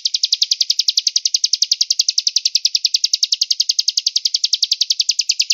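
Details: Velvet-fronted nuthatch in a training recording for songbirds, delivering a fast, steady trill of sharp, high chipping notes, about ten per second, running unbroken for several seconds over a clean, silent background.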